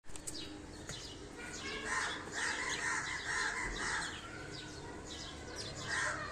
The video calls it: Sparrow Chirping Sound